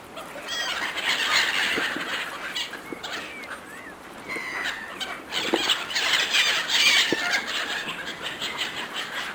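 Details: Flock of gulls competing fiercely for food a person is throwing them: a dense, overlapping chorus of harsh squealing cries, rising and falling, almost without a break.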